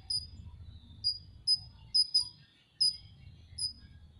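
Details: Van Hasselt's sunbird, a kept cage bird, masteran tutor recording: single thin, high, slightly falling chips spaced about half a second apart, around seven in all, over a soft low rumble.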